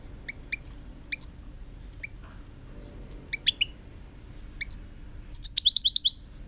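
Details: European goldfinch song from 2018: scattered high chirps and short note pairs build into a fast, tinkling run of bright twittering notes near the end, over a low steady hum.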